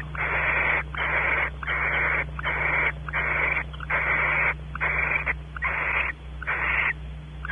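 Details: Barn owl nest cavity at Audubon Starr Ranch, California, with the male exploring and the female expecting mating. A rapid run of about ten raspy, wheezing hisses follows almost back to back with tiny gaps, over a steady low hum.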